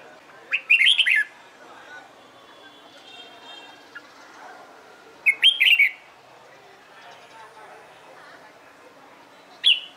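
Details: Red-whiskered bulbul trained for competitive singing: three separate bursts of bright, tumbling whistled notes spaced several seconds apart over a quiet background with faint chirps.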